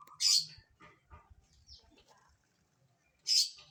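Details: Long-tailed shrike during a morning bath, giving two loud, harsh, rasping bursts about three seconds apart, with faint low murmurs and soft sounds between them.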